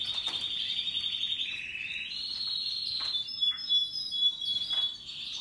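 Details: Canaries of Russian yellow and Timbrado breeds singing happily alongside other birds; high trilled phrases drop in pitch, then rise again into rapid warbling, with short whistled notes and clicks layered over the steady chorus.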